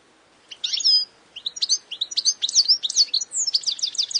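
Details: Wild European goldfinch (Carduelis carduelis) singing its own individual song: a rapid, tinkling run of high twitters, buzzy notes and liquid trills, ending in a quick repeated chatter.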